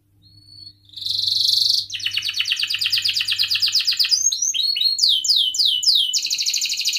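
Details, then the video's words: Canary singing, used to prompt other canaries to sing: a thin high whistle, then a loud buzzy burst, a long fast trill of repeated notes, and rapid downward-sweeping whistles to the end. "kenari gacor panjang Cuit Cuit EMOSI, Pancingan Kenari Paud Belajar Bunyi"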